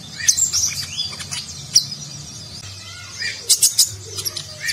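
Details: Nagen-style song of the konin sunbird, recorded for tutoring competition birds: sparse high sharp chips and a few softer lower whistles, with a quick burst of chirps toward the end.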